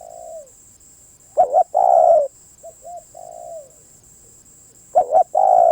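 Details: Spotted dove song: a fading coo, then a double note and a strong long coo, gentle soft notes and a quieter descending coo, before the phrase starts again. A thin constant whine is audible.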